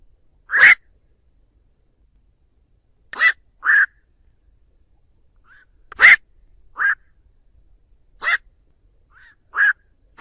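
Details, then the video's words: Black-crowned night heron flock-gathering calls for use as a trap lure: repeated pairs of a harsh rasping croak and a softer nasal note, spaced a couple of seconds apart over ten seconds, background clean. "Tiếng Vạc gọi bầy"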